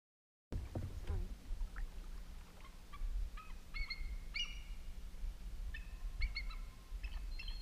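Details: Bald eagle heard from a canoe paddling back from Lows Lake on the Bog River Flow, Adirondacks, New York: a distinct chatter of thin, high piping notes in quick irregular bursts over a low wind or motor rumble. A small bird follows it, perhaps an eaglet or a bird chasing it off.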